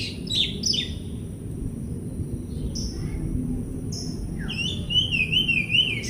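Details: Oriental magpie-robin song played as a lure recording to prompt silent or stressed magpie-robins to sing. Faint scattered whistled notes rise out of steady low background noise, ending in a wavering, trilled whistle.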